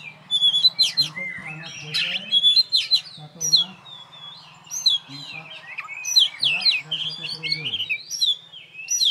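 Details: Contest-champion oriental magpie-robin in a cage, set up alone with no rival, singing a rich varied song of sharp whistles, rasps and quick rising and falling notes, over a faint low hum.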